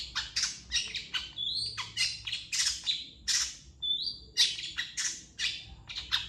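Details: Long-tailed shrike in full master song for training other birds. Rapid scratchy notes alternate with short, pure whistles, forming a busy, continuous and varied stream of sound.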